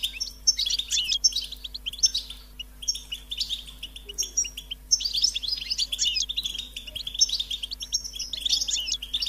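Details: Insistent, high-pitched begging of European goldfinch chicks wanting food, dense overlapping chirps and scratchy twitters running on without break, faint steady hum beneath.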